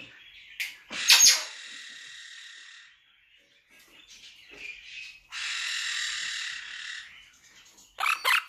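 Monk parakeet giving harsh, grating screeches in bursts of one to two seconds, with short rasping notes in between; no other clear sounds.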